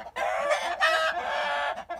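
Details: Roosters raise alarm after an owl lands nearby, giving loud, harsh, rapid cackles in two-second bursts, raspy and insistent, with brief gaps between outbursts.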